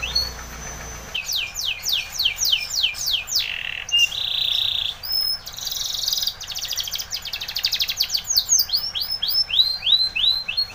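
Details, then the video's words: Spanish Timbrado canary song meant for training: series of rapid rising-falling whistled sweeps between 2k and 8k, a sustained metallic tone near four seconds, then fast trilled rattles and renewed chains of sweeping notes. "Timbrado canary's most powerful song for training"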